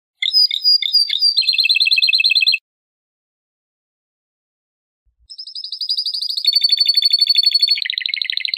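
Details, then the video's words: A domestic canary sings two bursts of fast, high rolling trills that shift between tours of different pitch and speed, with a short silence between them. "أنواع طيور الكناري مع تغريد رائع"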